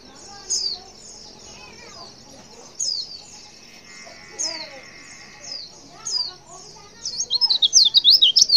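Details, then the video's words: Female white-eye calling to males: soft, high, down-slurred chirps repeated every one to two seconds over a faint hum, ending in a loud, fast run of high twittering notes. "Suara CALL PLECI BETINA Super Lenjeh BIKIN Pleci Jenis Apapun Cepat Respon & gacor"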